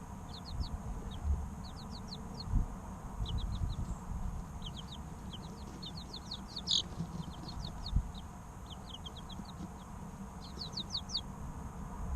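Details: Young chicken chicks, three weeks old, chirp almost nonstop: bursts of rapid high peeps, each a brief falling note, tumbling over one another above a low background rumble.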